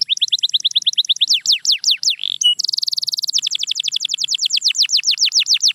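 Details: Bright canary song: repeated high falling notes, a brief bubbling tour, a dense buzzy trill, then a long accelerating series of short downward whistles.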